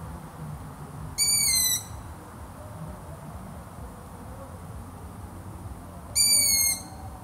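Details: Long-eared owl calling twice, a sharp, high whistle gliding gently downward for about half a second, repeated after five seconds against faint background hiss.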